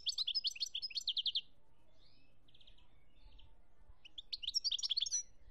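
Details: European goldfinch singing in Algeria, 2017: fast bursts of bright, tinkling, buzzy notes in rapid series, a short pause with a soft trill, then another lively twittering phrase.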